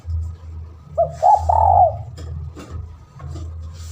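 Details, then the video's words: A spotted dove calling to a rival, lure recording: a single phrase of two quick notes and a drawn-out wavering coo, then faint clicks and a persistent low hum. "Pancingan burung tekukur gacor manggil lawan"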